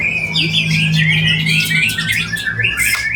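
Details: White-rumped shama in a bowing pose, its song crowded with imitated fill-ins: sweeping whistles and quick chirps over a steady low electrical hum throughout.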